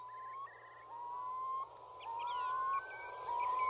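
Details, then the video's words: Male Eurasian curlews displaying to attract mates beside Tindale Tarn, Geltsdale, late April 2021: long, clear whistled notes rise slowly and repeat about every second, with a faint higher chatter behind. "Curlew song"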